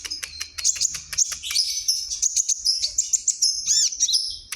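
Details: White-rumped shama from Kalimantan singing vigorously: a dense, fast stream of high, sharp whistles and clicks, with rapid note changes, several ringing upslurred whistles near the end, and faint low hum beneath.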